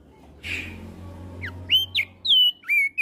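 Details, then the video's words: Brief ngeplong song from a Javan grey-throated white-eye answering other birds: a soft noisy burst, then several loud whistles, two sharply rising notes and a longer steady note, against a low hum. "Masteran Opior Jambul gacor Ngeplong Saling Bersahutan Dengan Burung Lain"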